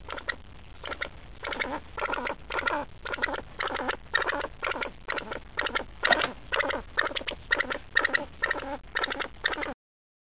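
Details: Hostile pheasant directing a long series of harsh, rattling bursts at people, about two per second, for nearly ten seconds before silence.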